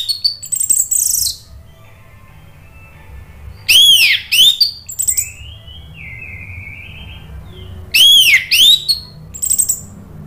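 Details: Lure recording of an orange-headed thrush in ngeplong style, meant as therapy for birds that stop singing. Bursts of rich, fast whistled notes repeat about every four seconds, with a softer wavering whistle in between.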